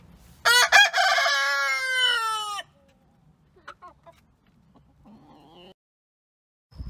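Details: Farm rooster crowing: one loud, long, harmonic crow of about two seconds with a sharp start and a steady, slightly falling tail, followed by a few soft clucks and faint scattered sounds.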